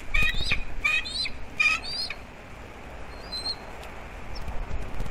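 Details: Bald eagle pair at their nest on Captiva/Sanibel Island, Florida, December 2021, calling in alert at something to the right of the nest. Three bursts of high, squeaky, stuttering chitters in the first two seconds, then faint thin whistles over steady background hiss.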